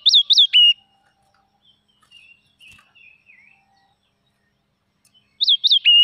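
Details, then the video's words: Wild red-whiskered bulbul opening and closing with loud three-note whistled phrases, separated by several soft, faint chirps in a quiet stretch. "Chim chim mào rừng hót cực kì"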